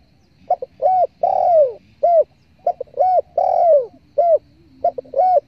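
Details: Spotted dove (tekukur) call played as a lure for bird hunters: soft, mellow coo phrases repeated about every two seconds, each a short note, a paired coo and a long, slurred, descending coo, over a faint low hum.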